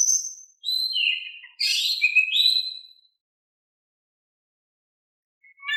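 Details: Calm-voiced Oriental magpie-robin singing, meant to lure a quiet bird into replying: a high whistle, then rich slurred and falling whistled phrases for about three seconds, followed by silence and a faint note at the close.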